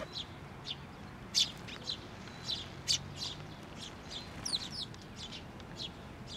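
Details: Bird chick calling atop a post at a Tenmangu shrine, 16 May 2023, as its parent returns; irregular high chirps, a couple louder ones, with some quick slurred notes midway and faint low background noise.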